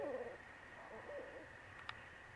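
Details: One of two barred owls gives a few low, mellow hoots with a slight downward slur, over a steady high insect-like drone, with a single click near the end.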